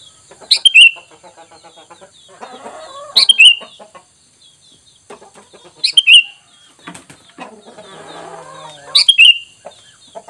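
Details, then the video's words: Sooty-headed bulbul lure recording meant to attract answering wild bulbuls: four short bright whistled phrases about every three seconds, with rustling, clicking and chattering noises between them. "Dengan Surara ini kutilang bahan Langsung nyaut"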